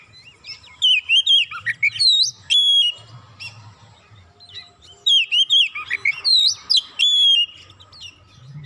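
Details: Oriental magpie-robin singing excitedly after a single provocation, unloading its isian repertoire: two loud bursts of rich, sliding whistles and sharp chirps, each about two seconds long, separated by a quieter pause with a faint low rumble underneath.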